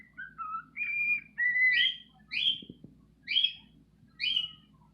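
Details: Pet bird singing indoors to attract females: opening whistled notes, then four sharp upward-sweeping chirps spaced about a second apart, with a faint low hum and a soft knock.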